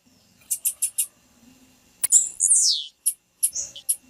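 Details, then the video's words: Female blue-black grassquit call meant to make a male sing: four quick high chips, then a loud slurred note sweeping down in pitch, followed by a few more thin chips over a faint low hum. "Piado de fêmea de tiziu Para Esquentar tiziu"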